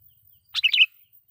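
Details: Sooty-headed bulbul giving a loud lure song meant to provoke wild bulbuls and call rivals: a single quick bubbly phrase of three or four liquid notes lasting under half a second, with silence around it.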